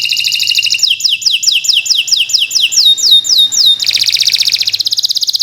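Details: Long, vigorous 'gacor' canary song, a master recording for birds that have stopped singing. Fast high rolls give way to a steady run of about four downward-swooping whistles per second, then a dense buzzy trill.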